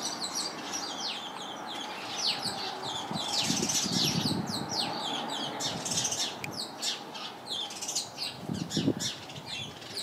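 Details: Flock of house sparrows in a crowded bush, chirping nonstop: many quick, bright cheeps layered over each other, swelling louder in the middle, with a low rustling murmur underneath.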